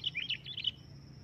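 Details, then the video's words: Sooty-headed bulbul calling loudly. A quick run of bright, bubbly chirps lasts under a second and is followed by a thin, steady high tone. "suara keras burung kutilang memanggil di jamin langsung nyaut"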